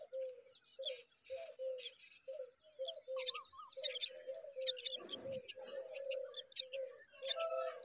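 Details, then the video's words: Myna repeatedly feeding its babies; clusters of loud scratchy, buzzy high calls rise in irregular bursts over a steady low hooting note repeated about once a second, with a brief rustle midway. "Myna bird repeatedly feeding babies something interesting"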